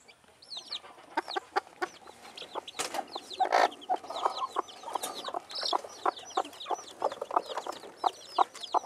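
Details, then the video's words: Silver Phoenix hen with her chicks, recorded 3/5/2013: soft low clucks from the hen mixed with many thin, high, downward-arching peeps from the chicks, continuous and overlapping. "Silver Phoenix Hen and Chicks"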